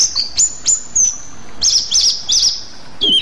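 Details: Rueck's blue flycatcher (Cyornis ruckii), endemic to Sumatra, sings a very high, thin song of sharp chirps and short warbled, wavering phrases over a quiet background.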